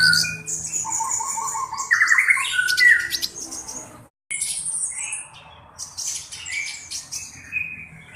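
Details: Black-browed reed warbler singing actively, kept as a tutor bird: a varied, chattering medley of harsh scratchy notes, rising and falling whistles and buzzy trills, with a brief silent break midway before the rapid phrases resume.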